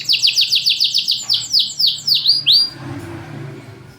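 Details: Caged champion canary singing loudly with tight pauses, used as a lure for canaries that sing little: a fast run of repeated high descending sweeps, then several rising slurred whistles, fading into faint room noise.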